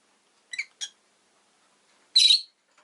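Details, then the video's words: Rosy-faced lovebird chirping: two short, sharp, high chirps close together, then a pause and a longer, louder harsh chirp; quiet background. "Lovebird Chirping Sounds"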